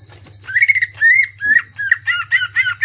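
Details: Cucak ijo, the greater green leafbird, singing in the ngentrok style with crest raised and tight, rough, varied bursts. Drawn-out slurred whistles are followed by short paired chirps. A constant high trilling tone and a faint low hum continue behind.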